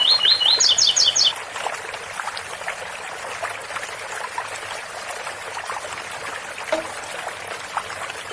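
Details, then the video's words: Brief ouro fino phrase from a double-collared seedeater at the start: a few rising whistles packed tightly, then four higher doubled notes. Several seconds of gently running fountain water follow. "Coleiro ouro fino 8x4 - 7x4 com som de fonte de agua"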